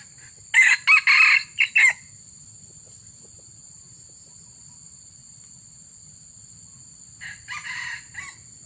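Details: Red junglefowl crowing during an effort to lure wild junglefowl: a loud, broken burst of harsh harmonic crow notes early on, then a fainter second crow near the end, over a steady high-pitched insect hiss.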